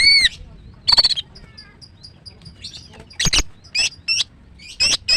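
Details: Female greater green leafbird in captivity, a morning singer: clear whistled notes and a run of short repeated high pips, then broad harsh chirps in quick pairs.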